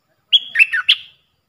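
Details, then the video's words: Call of a Puff-throated bulbul used as a decoy for teaching fledglings and hand-fed chicks: a bright whistled opening note, then two falling slurs and a final rising chirp, all within one second. "เสียงต่อนกดอกแตงEp.114เสียงสำหรับหัดลูกเสอ/ลูกป้อน!!Birds sounds"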